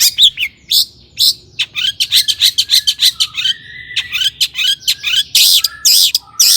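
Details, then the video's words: Long-tailed shrike in lively mimicking song used to draw song from other shrikes: rapid rhythmic chips, a level whistled phrase, then harsh rasping squawks. "suara cendet gacor"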